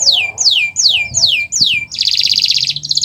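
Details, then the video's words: Canary of the Nusantara type, a master recording used to prompt silent canaries to sing: five loud descending whistled sweeps about every 0.4 seconds, then a rapid buzzy trill and a high rattling phrase. "Masteran Burung Kenari untuk Pancingan Burung Macet Bunyi"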